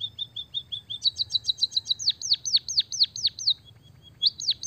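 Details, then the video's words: A white-headed munia (Java finch) sings a high, thin song with canary-like phrases: soft even notes, a quick chattering trill, then a run of sharply falling whistled sweeps. "burung emprit kaji gacor isian suara kenari"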